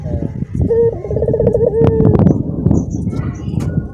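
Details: Barbary dove cooing in dorongan style among caged companions: a single rolling trill drawn into a short hoot, then heavy low noise and murmuring voices dominate the rest.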